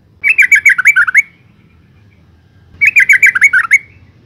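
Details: Female yellow-vented bulbul calling to lure males into singing, two quick runs of bubbly, slightly descending chirps, each run about a second long of eight or nine notes, separated by a pause.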